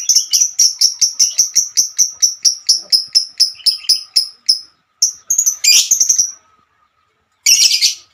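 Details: Female lovebird with a long 'ngekek' trill. Rapid bright chirps run for over four seconds, then a few squeaky notes and a harsh chatter burst, a pause, and a final raspy squawk.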